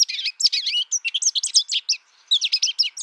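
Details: American Goldfinch giving a fast, busy series of high, buzzy twitters and chirps, with a short gap before a final excited burst.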